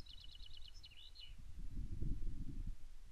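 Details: One of a pair of crossbills, possibly Scottish crossbill (Loxia scotica), visiting an osprey nest at Loch Arkaig, Scotland, morning of 15 May 2024, gives a quick run of about six sharp, high 'jip' calls, then a couple more, over low wind rumble.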